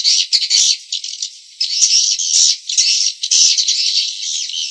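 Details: Swiftlet lure recording used in swiftlet farming to draw birds in. A dense stream of buzzy, rattling chirps fills the upper range without pause, with short bursts overlapping one another and no low sounds at all.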